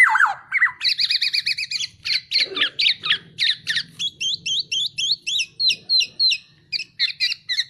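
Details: Kepodang, the black-naped oriole, singing in masteran style: an opening downslurred whistle, then dense rapid buzzy trills and crisp rising-falling chips repeated several times a second.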